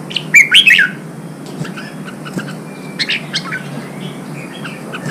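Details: ['Wild-caught red-whiskered bulbul urged to sing while being trained for song contests; one loud, rich, warbling whistled phrase early on, followed by fainter scattered chirps and short notes.']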